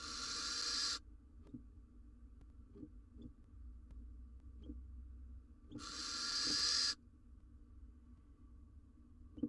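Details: Barn owl nest box, male arriving with a rodent for mate and nestling; two loud, rasping hiss-screeches about five seconds apart, separated by quiet with soft scratching and taps.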